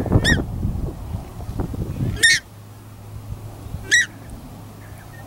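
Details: A pair of Paradise Shelducks at a corn bait station in Tawharanui Regional Park, chasing Pukeko away; three loud, strident nasal honks about two seconds apart, with rustling and pecking between them.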